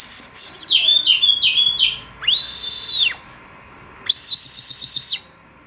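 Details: Oriental magpie-robin (kacer) call meant to excite other birds into song: quick repeated whistles, then a long sustained rising-falling whistle and a long warbling, wavering whistle.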